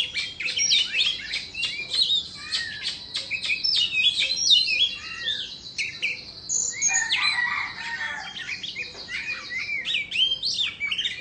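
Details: Indonesian white-rumped shama singing as it dances with fanned tail, delivering a long, rich flow of high twittering notes, quick slurred whistles and dense chattering phrases with few pauses.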